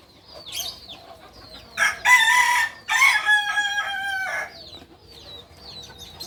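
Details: A Solok kukuak balenggek rooster from West Sumatra crows in two loud bursts of bright, layered tones. The second burst continues as a series of short stepped notes. Small birds chirp faintly before and after.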